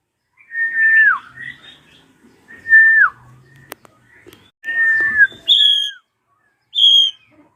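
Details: Ashy drongo screaming as a lure for young songbirds: repeated loud whistles, each held level then sliding down, mixed with short harsh chatter and two clear high piercing notes near the end.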